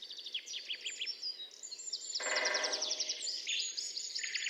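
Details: Great Spotted Woodpecker drumming as display and attraction rather than hole-making: a fast wooden roll under a second that starts strongly and fades, like an old dustbin lid, over steady high chirping from other small birds.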